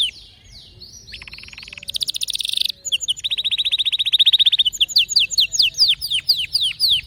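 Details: Canary song full of distinctive notes: fast buzzy rattles, a long, rich, rolling trill at steady speed, then a string of sharp descending whistled sweeps repeated about four times a second.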